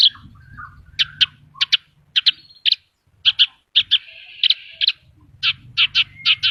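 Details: Horsfield's bush lark singing vigorously, a gacor song full of isian fill phrases: short sharp high chips and notes in spaced bursts, with a brief buzzy stretch near the middle and faint low rumble beneath.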